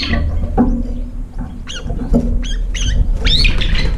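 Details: Brown-eared bulbuls arriving late at a nearly empty feeding bowl, competing and fighting over the last food: loud harsh squeaky calls rising and falling, with heavy low rumbling and thumping in the background.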